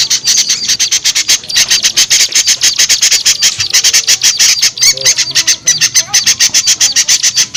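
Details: Small birds' lure call for drawing down wary small birds: a dense, nonstop stream of sharp high ticking chips, rapidly repeated with hardly any pause, with a few lower squeaky notes toward the end.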